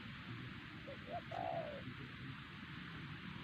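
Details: Wild spotted dove at Siosar, a loud target bird being lured with a trained decoy, utters one phrase: two short soft notes, then a longer, smooth, level coo, against background hiss.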